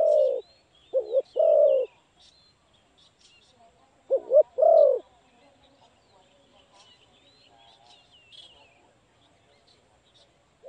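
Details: Spotted dove of the Malay type, heard while being trapped: two loud phrases of a doubled short coo and a swelling long coo, spaced three seconds apart, amid soft twittering from other small birds.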